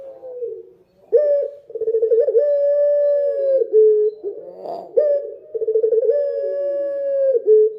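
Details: Night-time dove song: two phrases, each starting with rapid throbbing pulses and stretching into a long, even, low hum of a coo that dips at its close.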